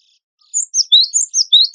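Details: Cinereous tit of the wingko type, singing persistently in a tutor recording for songbird contests: a quick run of high, thin, sweeping chirps, each note sliding up or down, starting after a brief pause and repeating about five times a second.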